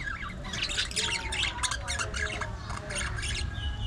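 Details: Budgerigars chattering while playing, fighting and grooming: dense overlapping squawks and warbling chirps packed across the whole stretch, with faint low background rumble.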